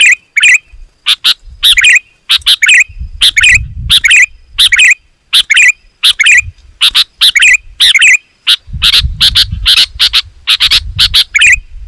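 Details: Sooty-headed bulbul singing vigorously, dense and loud, used to lure wild bulbuls closer: rapid bursts of harsh, chattering notes with brief whistled twists, packed tightly over twelve seconds, with a low rumbling noise in places.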